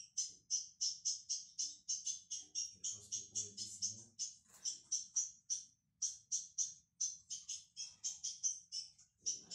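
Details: Juvenile ultramarine grosbeak practising its song: fast, regular strings of high, bright clipped notes, several per second, continuing with short breaks while a low murmur of speech sits beneath.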